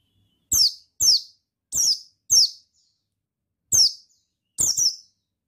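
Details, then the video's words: White-eye (Buxton's, male) call used as a lure to stimulate other white-eyes, dated 15/10/21: six short, high, sharp chirps, each a quick descending slur, in uneven bursts roughly every half to one second. "Suara Bikin Pleci Ngalas Emosi Memancing Bunyi Pleci"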